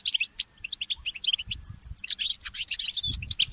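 A goldfinch mule sings a fast, tinkling run of high chirps, twitters and short trills, with brief pauses and a faint low rumble underneath.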